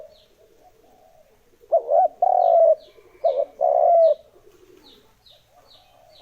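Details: Spotted dove cooing used as a lure for wild birds, soft distant coos giving way to two loud phrases, each a short wavering note followed by a longer, steady hoarse coo; faint high chirps repeat throughout.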